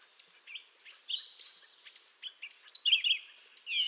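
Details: Grey jay, or Canada jay, of eastern North America: short clear whistles and slurred notes broken by pauses, a bright burst near the end, while a thin high repeated tone from another bird runs in the background.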